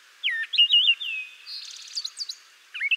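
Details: Brown Thrasher (Toxostoma rufum) song in spring, central/eastern United States: a rich run of varied, melodic mockingbird-like whistled phrases, then a quick buzzy rattling series and more sweet notes.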